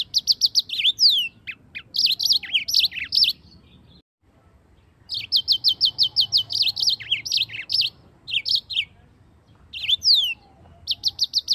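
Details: Yellow-fronted canary in full, lively song, used as a master recording to teach other songbirds: bursts of quick, high, evenly repeated chips and trills mixed with slurred down-sweeping whistles, separated by brief silences including one about a second long.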